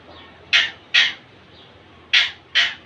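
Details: Indian ringneck parakeet, a young male courting a female, gives four loud, harsh, rasping squawks in two pairs, each pair about half a second apart, separated by a gap of over a second.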